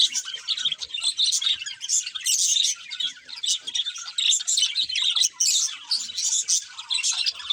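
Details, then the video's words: A group of budgerigars keeps up a continuous, lively twittering of shrill chirps and rasping warbles, with the overlapping voices swelling and dipping but never stopping. "Cute Budgies Chirping Sounds"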